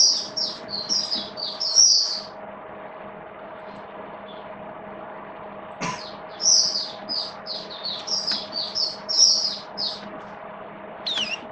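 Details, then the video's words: Oriental white-eye kept in a cage, recorded 8 October 2022 during rainy weather: two fast runs of high, tinkling chirps separated by a quiet gap and a sharp click, over a constant hum. "Mata Puteh Buka Sing Raja"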